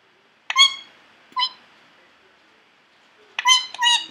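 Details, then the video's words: Three-year-old male pet Indian ringneck parakeet indoors, a constant talker; sharp, short bright chirps, one pair near the start and a quick double chirp near the end, with quiet gaps between. "parrot talking to me"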